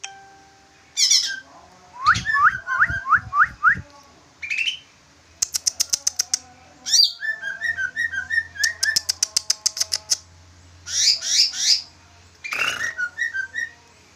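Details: Large green leafbird chattering in a style said to resemble a yellow-vented bulbul: varied whistled and warbled phrases mixed with rapid clicking rattles and high squeaky trills, delivered nearly continuously with brief gaps.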